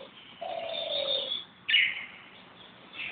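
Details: Bird calling in Corbett National Park: a long flat whistled note held for about a second, then a sharp higher burst, with a faint steady high hiss throughout.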